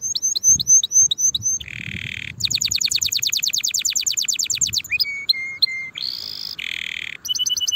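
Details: Canary singing, played to teach young birds early for the next season. Varied phrases: slurred high notes, a buzzy burst, a long rapid trill, steady whistles, and a harsh rasping roll.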